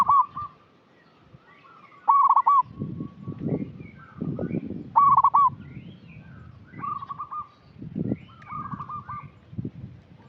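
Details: Lure song of a local zebra dove singing actively, meant to stimulate young untrained birds: loud, quick, stuttering coo phrases recur every few seconds, with softer coo phrases between them and frequent low thumps and rustling.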